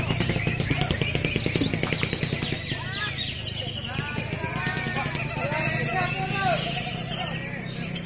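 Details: A greater green leafbird at a songbird contest pours out rapid, varied whistled phrases, sweeping up and down in quick bursts, over an announcer's voice and a low engine rumble.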